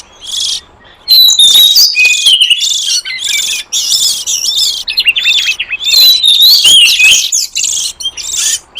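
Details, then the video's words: Oriental magpie-robin lure recording of a wild forest bird, meant to attract wild magpie-robins: after a soft opening rasp, a long, busy run of sweet whistles, quick slurred phrases and scratchy buzzes, barely pausing. "Suara pikat burung kacer liar hutan ampuh"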